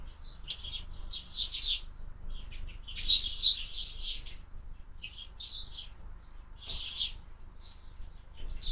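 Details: Young sparrows at a window feeder give rapid, high twittering chirps in irregular clusters separated by brief gaps, over a faint low hum.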